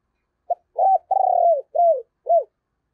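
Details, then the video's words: Spotted dove kept as a decoy bird, cooing in the 'giọng thổ' style: a short lead-in note, then an arched coo, a long quavering coo, and two downward-curving coos, all low and mellow. "tiếng cu gáy - Chim Cu Mồi Giọng Thổ Gáy Hay Nghe Rất Phê"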